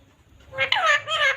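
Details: Green pet parrot talking: a short burst of harmonic, speech-like syllables with bending, wavering pitch, rising then falling, lasting under a second.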